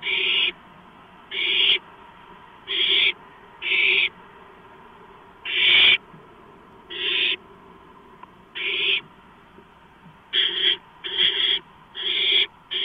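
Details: Barn owl at the nest as prey, a gopher, arrives late on 2 April 2015: a series of breathy, grating screeches spaced one to two seconds apart, quickening into close bursts near the end.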